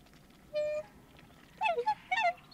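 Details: Two black swans calling close up, giving both high and deep calls: a single clear bugling note, then after a pause several quick wavering honks, over soft background noise.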